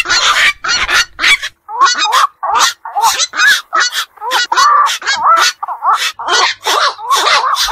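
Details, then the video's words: Night-active black-crowned night herons of pond and wetland country call in rough, nasal croaks. Separate bursts come every half second or so, some with a brief tonal whine. "বাকচু পাখির ডাক. নিশি বক এর ডাক. 4 রাত জাগা পাখির ডাক"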